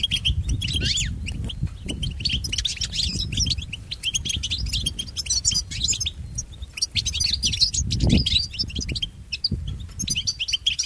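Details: Bright twittering phrases and quick slurred chirps from European goldfinch song for training pet goldfinches, broken by short pauses, with heavier low rumbling background noise.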